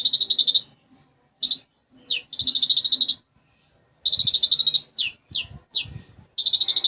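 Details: Konin, or olive-backed sunbird, in full gacor song with sparrow-style fill (isian gereja). Fast buzzy trill bursts alternate with quick downward-sweeping chips, separated by short pauses.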